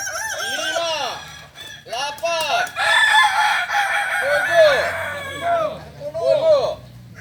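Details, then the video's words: Kokok Balenggek roosters at a practice crowing session in Ampang Kualo, Kota Solok: bursts of short, arched, ringing crow notes in quick stepped runs, pausing and restarting, with several birds overlapping in a dense chorus. "ayam kukuak balenggek"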